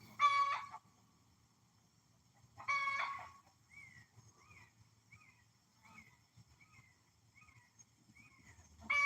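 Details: Hen on a farm raising a ruckus, said to be laying an egg: two loud, harsh, harmonic squawks about two and a half seconds apart, with a run of soft, short clucks repeated roughly every half second between them.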